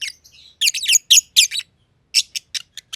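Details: Two caged lovebirds, a green personata under a year old and a green pied personata, in a home aviary. Shrill broadband chirps come in quick clusters, then short sharp separate notes near the end.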